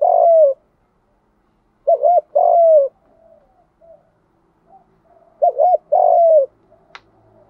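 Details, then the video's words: Spotted dove, 'Đồng' voice, for training newly caught birds to coo: three phrases, each a quick stuttering double note leading into a long descending coo, with faint soft murmurs and a click between. "cu gáy giọng Đồng thúc gù cực căng giúp bổi đang chớm nổi gáy theo sung mãn cả ngày"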